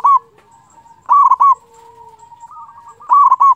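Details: Lure song of a local zebra dove for stirring other doves to call: short, rounded cooing bursts repeated every two seconds, joined by a faint, steady low coo.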